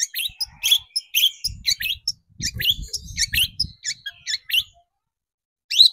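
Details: Long-tailed shrike song for luring shrikes into singing: busy, scratchy chatter of squeaks and short whistles over soft low thumping, ending after a pause with a single sharp rising note.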